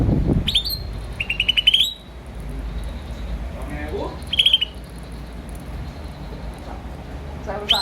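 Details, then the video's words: Green starling chirping: short upswept notes leading into a fast, rattling series of high pulsed notes, repeated in two bursts, with a brief human voice and low background rumble between them. "Green Starling Chirping Sound"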